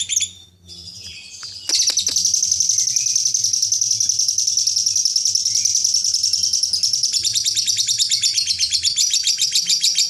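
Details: Lovebird ngekek chatter for song contests: after a few scattered high notes and a short gap, a long unbroken shrill trill begins and holds strongly, turning into distinct rapid pulses toward the end.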